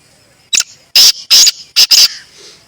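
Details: Black francolin (Kala Teetar) in its natural habitat in Pakistan: a short harsh note, then three loud grating rasping bursts and two more in quick succession, all within about a second and a half, over quiet background.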